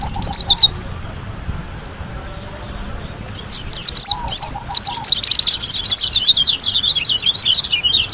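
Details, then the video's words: Song of a white-eye from Lombok: a brief high phrase, a long near-silent pause, then a sustained, fast cascade of shrill chirps and sharp downward whistles continuing to the end. "KUMPULAN SUARA PLECI GACOR ASLI DARI LOMBOK‼️ SUPER NGALAS TEMBAKAN MEWAH"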